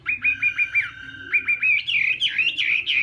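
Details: Chinese hwamei singing as morning voice practice for contests: bursts of rapid repeated whistled notes, then a higher, tumbling run of varied slurred phrases.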